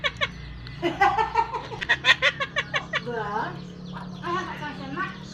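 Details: Myna mimicking human sounds such as coughing, laughing and talking. Voice-like harmonic syllables lead into a run of sharp, laugh-like pulses, then softer wavering notes, over a low background hum.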